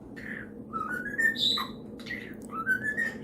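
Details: A pet parrot, singing to a one-year-old poodle pup while urged to sing Happy Birthday, whistles a short run of rising, tuneful phrases, each sliding upward, with a bright higher note in the middle, over faint room noise.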